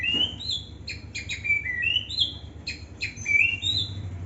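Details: Young white-rumped shama singing in an aviary in Indonesia: a lively run of clear whistled notes, some rising and some falling, with short sweeps and slurs following each other quickly over a faint low hum.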